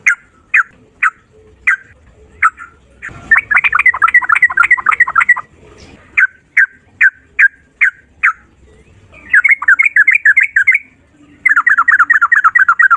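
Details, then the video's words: Sooty-headed bulbul in extended 'ropel' song: spaced single slurred notes alternating with long, very fast runs of bubbly rolling notes, several bursts in succession, each lasting one to two seconds. "Burung trucukan gacor ropel 1 nafas panjang volume cucak rowo"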